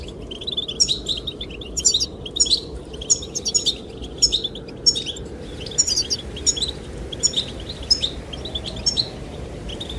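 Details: Goldfinches sing against a constant wind roar. Rapid, high, jingling chirps come in short bursts about once a second and thin out toward the end.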